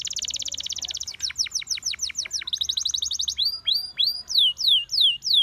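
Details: Canary song used to call other canaries to sing: a long fast trill, then sharply descending whistled notes, a buzzier trill, and slower loud downward sweeps.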